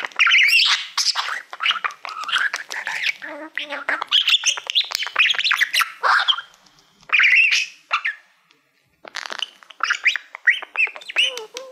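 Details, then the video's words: Male pet budgie warbling toward a shiny silver plaque, as he loves mirrors: continuous rapid chirps, clicks and squeaky notes in quick bursts, broken by two short silences and then resuming. "Budgie singing to Youtube Playbutton"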